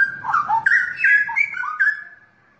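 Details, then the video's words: Straw-headed bulbul, kept and raced in Indonesian song competitions, pouring out a loud continuous liquid warble of rolling whistled notes that slide up and down, fading out after about two seconds. "Kicau Burung Cucak Rowo Rawa Gacor"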